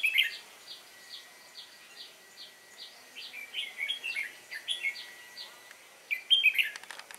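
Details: Wild-caught red-whiskered bulbul on 22 October 2018 repeating short clipped notes about twice a second, breaking into fast bubbling warbled phrases, with a loud burst near the end and a faint steady tone behind.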